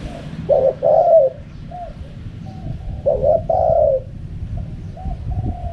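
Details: Spotted dove cooing in the wild 'karam pa' manner: two loud phrases of a clipped note plus a long hoarse coo, followed by quieter short coos, over low background noise.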